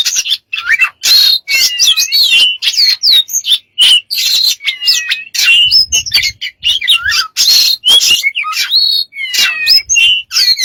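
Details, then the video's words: Dense, varied bird vocalizing: twittering chirps, sliding whistles and harsh squawks mixed in a fast, continuous stream. "smart bird have lost of strange sounds"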